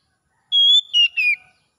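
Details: Single phrase of Oriental magpie-robin ngalas-style song, meant as therapy to restore singing: a long steady clear whistle followed by two quick falling whistled notes, on a quiet background.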